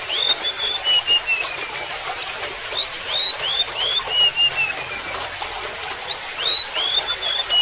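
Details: Two descending whistled phrases from a golden-bellied gerygone, each a run of thin, sweet slurred notes falling in pitch, separated by a short gap, with bubbling water in the background.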